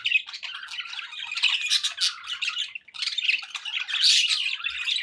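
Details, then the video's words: Several pet budgies warbling and squawking together, a busy tangle of scratchy chirps and clicks that pauses briefly near the middle before resuming loudly. "budgie sounds for pet birds"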